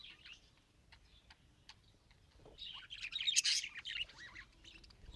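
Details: Budgerigar trying to talk: soft high chirps and ticks first, then a dense rush of scratchy, bubbling warble in the second half.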